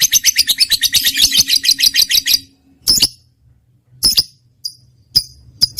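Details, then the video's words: Trained lovebird chattering fast and shrill for over two seconds, then breaking off into isolated sharp, high chirps separated by short silences. "lovebird mp3 cocok buat pancingan burung kesayangan"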